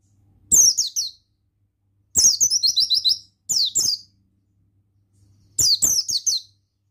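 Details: Male buxtoni Oriental white-eye pouring out ngalas-style song: bursts of rapid, piercing chirps, one long run of about seven falling notes, others of three or four, broken by short silences over a low hum.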